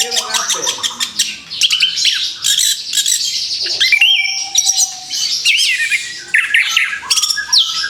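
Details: Orange-headed thrush freshly out of its moult, back in song: fast, jumbled run of sharp chips, rising whistles and buzzy trills, with a brief pause near the middle and a soft steady hum beneath.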